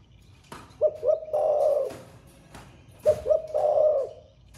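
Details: Spotted dove with a thổ pha style song, said to coo all day, gives two full phrases about two seconds apart, each two quick low coos leading into a long, wavering hollow note. Light knocks between phrases.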